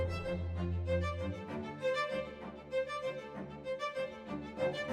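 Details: Bowed violin music with sustained, sliding notes over a low drone. No animal calls are heard.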